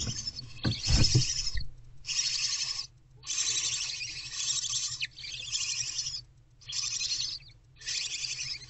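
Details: Barn owl owlets in a nest box at night, around 4 am in February, while the mother is away. Broad rasping hisses come in bursts of about a second, repeated in a steady series, with a brief low thump near the start.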